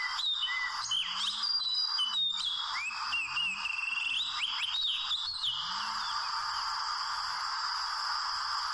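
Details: Oriental magpie-robin in the wild, being trapped with small ropes: busy whistled phrases with quick up-and-down slurs for about six seconds, then only steady insect-like background hiss.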